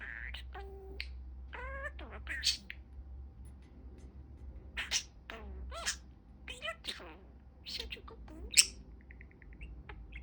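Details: A male pet budgerigar talks in high, buzzy, word-like bursts. Between them come quick chirps and squeaky rising whistles over a steady low hum.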